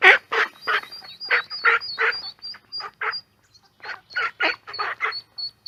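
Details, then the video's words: Ducklings in a pond with ducks; rapid rough nasal calls repeated about three times a second in bursts, over a thin high peeping line and a brief pause midway. "Duck Sound duckling in the pond -duck quack"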